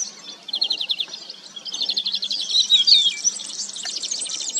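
A crested lark sings a fast, high, twittering song of rapid trills and clear whistled notes, with a faint low hum underneath.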